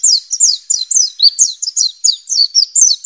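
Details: Wild white-eye of family Zosteropidae delivering a continuous lively series of sharp, high, downslurred twitters, about four to five notes per second, with a faint steady high hiss behind.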